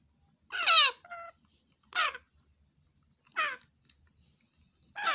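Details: Grey parrot chicks in Nigeria give harsh, raspy squawks about every one to two seconds. A brief nasal, tonal note follows the first squawk in an otherwise quiet room.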